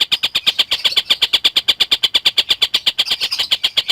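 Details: Collared kingfisher calling steadily, used as a tutor recording for lovebirds: a fast, even series of sharp, high clipped notes, about seven per second, running unbroken throughout.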